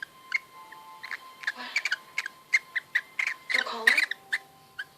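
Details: An affectionate female cockatiel, found lost outdoors two weeks earlier and adopted, gives a series of soft, short, evenly spaced chirps with a steady hum behind.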